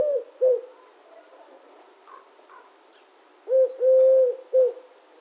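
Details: Eurasian collared dove giving a three-part coo: brief opening note, sustained hollow middle note, short closing note, with a quiet pause and soft small-bird chirps between phrases.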